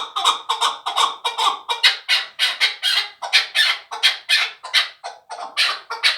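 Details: Fighting chukar partridge, a young bird from last year's brood, giving a rapid series of harsh, chuckling notes about five per second that steadily grow louder and brighter.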